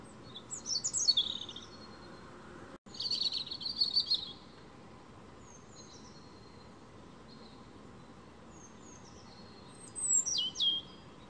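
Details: European robin singing in a noisy, dim spot: high, thin twittering phrases with sliding whistles and trills, delivered in bursts separated by pauses of several seconds, over a steady low background hum.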